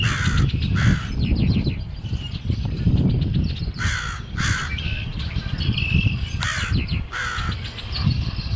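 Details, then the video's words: Crow on Good Friday 2010, late afternoon under clearing skies after a morning of heavy rain and wind, gives harsh, raspy caws in short bursts, roughly seven over eight seconds, over a steady low rumble of wind. "Holy Week Crow Making Noise"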